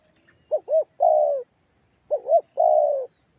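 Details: Spotted dove used as a lure call to make other doves answer, Kalimantan style: two short rising-falling hoots then a longer falling coo, phrase given twice, a faint steady hiss high above.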